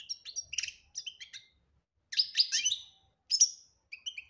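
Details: Goldfinch chattering song, "batbata" style with clean phrasing, intended to bring a silent goldfinch out of silence. Short chirping phrases and rapid tinkling bursts alternate with brief pauses.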